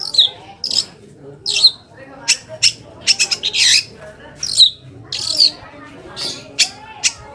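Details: Provocation lure from a long-tailed shrike to make other shrikes answer: harsh scraping squawks alternate with brief high whistled flicks, delivered in uneven bursts with short pauses between.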